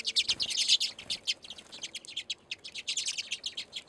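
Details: Loud flock of redpolls at a winter bird seed feeder in Anchorage, Alaska, February: continuous short, high, rattling and zapping chirps, many overlapping, with a few soft thumps early on.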